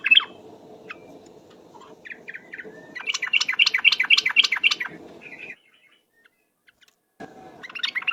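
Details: Yellow-vented bulbul in trucuk ropel song, a lure recording: scattered short chirps build into a loud, fast string of about eight bubbly notes, then silence and a brief restart.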